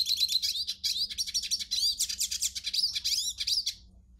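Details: A hooded siskin's song used for warming up a kept bird: quick bursts of high, slurred chirps and twitters, tightly packed, fading out after nearly four seconds with one last faint note.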